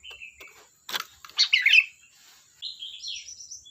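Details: Sooty-headed bulbul singing in a gacor style: a thin whistle, then a sharp click and a rich gurgling phrase, ending in a run of high wavering whistles.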